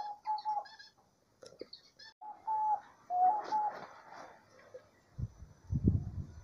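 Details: Gentle, level coos of a diamond dove in nature, several short notes then a slightly rising pair, mixed with high chirps of other birds and closing on low thuds and rustling.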